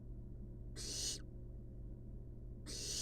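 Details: Two rough, airy hisses, roughly two seconds apart, come from napping wild barn owl nestlings in a monitored nest box, with a steady low hum in the background.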